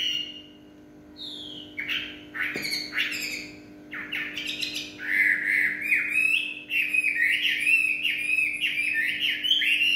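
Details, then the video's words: Evening song of a Chinese hwamei: rich varied whistles, rapid trills and harsher squeaky notes building into a dense, continuous run of warbled phrases, with a faint steady hum behind. "họa mi hót tối"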